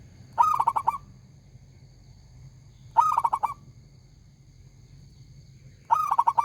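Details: Loud, frequently singing local zebra dove delivers bursts of staccato, bubbling coos, three phrases spaced about two and a half to three seconds apart, each ending abruptly. A low rumble runs continuously behind.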